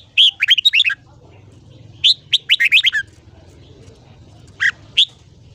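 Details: Red-whiskered bulbul morning song used for voice training, in the ché style meant to stimulate young birds into long phrases: quick bursts of bright warbled, up-and-down notes, two rapid phrases then two lone chirps, over faint low hum.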